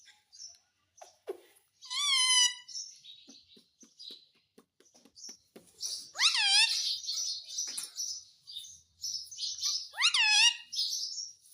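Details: Talking Indian ringneck parakeet indoors, said to speak Hindi: quiet clicks and chatter broken by three loud bending squawks spaced several seconds apart, with a continuous hissy chattering between the last two.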